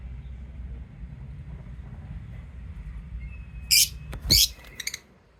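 Lovebird giving a few shrill, harsh chirps in quick succession near the end, over a low background rumble.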